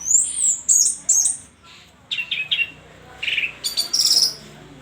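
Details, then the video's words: Orange-headed thrush singing: high, sharp whistled phrases at the start, a pause, then a burst of varied chirps and scratchy notes. "anis merah full tembakan ngeri"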